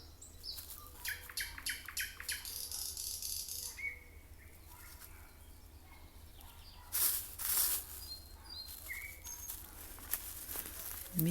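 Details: Evening song of a common nightingale during a walk: quick runs of repeated whistled notes and short slurred phrases with pauses, fairly distant, over a low steady hum, with rustling and a few handling bumps.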